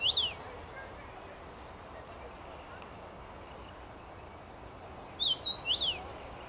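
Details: Common rosefinch singing from a tree, 23 May 2021; the tail of one whistled phrase opens, then after a quiet gap a full phrase of clear, slurred up-and-down whistles, with faint low background rumble.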